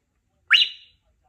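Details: Three-year-old female Congo African grey parrot, kept at home, practising her words and sounds; a single bright whistled note rising sharply then sliding down and fading over half a second, otherwise quiet.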